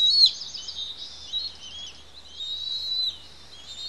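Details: Two young bald eaglets on the Pelican Harbor nest, Santa Cruz Island, calling while a parent feeds them; thin, high whistled notes with a quick falling start, then wavering chitters that rise and fall in loudness.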